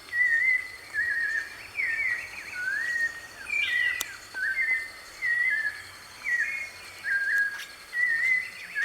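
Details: White-necked thrush singing free in the wild: short whistled, warbling phrases around mid-high pitch, delivered roughly once a second with brief pauses, over a steady high insect-like hum and faint background noise.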